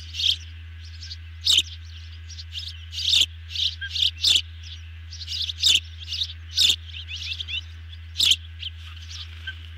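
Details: Nest camera recording of ospreys being fed a large dinner, June 2020 evening. Shrill chirps repeat irregularly, roughly every half second in busy stretches, over a low steady electrical hum.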